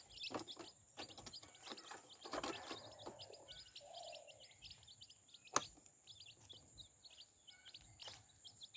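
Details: Baby chicks with their mother hen peep continuously in high, short, falling chirps, many birds overlapping; a brief low hen murmur in the middle and scattered scratching and tapping sounds.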